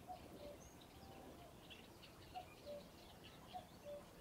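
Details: Common cuckoo at RSPB Ham Wall Nature Reserve, Somerset, UK, giving its two-note cu-coo, a higher note falling to a lower one, three times in about four seconds, with faint birdsong behind.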